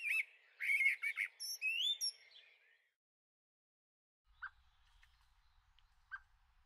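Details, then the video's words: Young Eurasian blackbird in a garden, 2013, gives squeaky whistles and chatter for about two seconds, followed by silence and two faint clicks. "Tweede jonge merel - Blackbird - Turdus merula - in de tuin"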